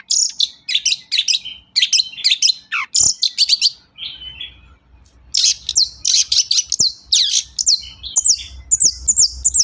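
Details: Long-tailed shrike pouring out varied song, played to coax silent shrikes into singing: harsh rasping phrases mixed with squeaky downslurs and chatter, a brief lull midway, then more rapid scratchy notes over a low hum.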